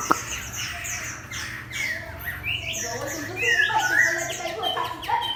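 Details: Chinese hwamei in a cage beside a fighting bird gives a softer medley of thin, high chirps and upward-slurred whistles, scattered and irregular, with a faint low hum behind.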